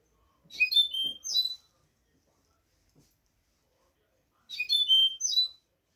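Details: Goldfinch song as a teaching model for young goldfinches: two loud, fast, bell-like twittered phrases about four seconds apart, each ending in clear whistles, with faint clicks between.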